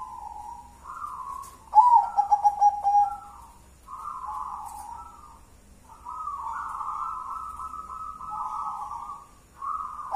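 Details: Wild local zebra dove singing in the ngelaras style: smooth sustained coos interrupted by a quick series of stuttered pulses, then long level hollow coo phrases repeated.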